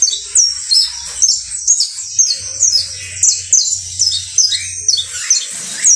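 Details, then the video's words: Singing criollo saffron finch: a steady run of high chirps and falling slurred notes, about one loud phrase each second, ending with a few lower rising whistles. "UN CANTO INCREIBLE DE CANARIO BASTO CRIOLLO"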